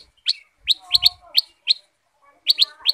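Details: Sooty-headed bulbul, called kutilang sutra, singing loudly and busily: short sharp chirped notes, bright and slightly descending, in quick clusters of two or three with brief pauses, plus faint low murmuring notes beneath.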